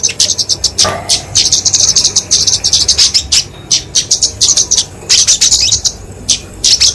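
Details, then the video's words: Kemade flowerpecker (Dicaeum) in its fighting song, played to train and lure small birds: high, sharp chips delivered in rapid runs with irregular short pauses. "Kicauan Kemade Tarung Untuk Masteran&Pikatan Burung Kecil"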